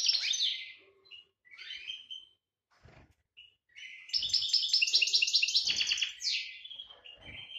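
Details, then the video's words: A European goldfinch in breeding-season heat, 2018, sings a bright, liquid twitter of tinkling trills and quick rising and falling sweeps, with soft low thumps now and then. "Chardonneret GB chaleur saison"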